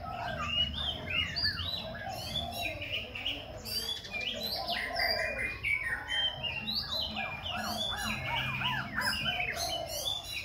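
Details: A dancing Khe Sanh laughingthrush pours out an unbroken, ever-changing song, its voice shifting constantly through chattering notes, sharp high strokes and liquid whistles, while a soft low hum runs underneath.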